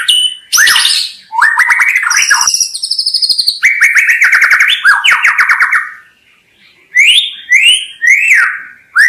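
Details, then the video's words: White-rumped shama in loud song: sharp high notes, rapid buzzy rattling trills and sliding whistled phrases, a short gap, then repeated falling whistled phrases. "SUARA KHAS BURUNG MURAI BATU_KICAU ISTIMEWA"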